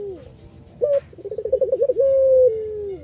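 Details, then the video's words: Melodious Iraqi-type collared dove song, kept as a lure for other doves: one bright short note, a rapid bubbling trill of about ten pulses, then a long steady coo that sinks slowly at the end. "BURUNG PUTER IRAK GACOR MERDU"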